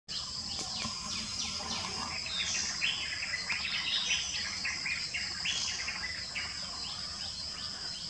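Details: A White-bellied drongo (Dicrurus caerulescens) at Navadarshanam on 16 April 2022 gives busy runs of short, clear, down-slurred whistled notes over a steady high insect drone.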